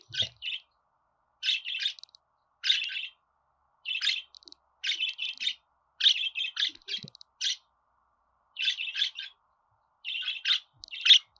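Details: Budgerigar chattering in regular bursts of two or three scratchy chirps, roughly one burst every second, over a quiet background.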